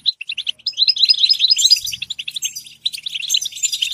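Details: Goldfinch song beginning with a few spaced chirps, then breaking into a quick, tumbling stream of tinkling twitters, buzzy notes and high liquid trills.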